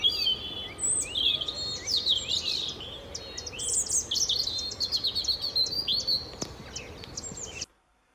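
A European Robin sings a sweet, liquid warble of high, thin phrases that tumble up and down, changing pace and loudness, with brief pauses and whistles.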